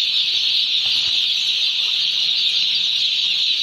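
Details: A brief stretch of dense, high peeping from many day-old chickens on a poultry farm, with a faint knock near the middle.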